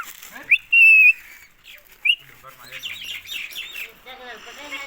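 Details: Indian ringneck parakeet giving a sharp rising note, then a loud flat high whistle, another short rising squeak and a run of scratchy chattering phrases.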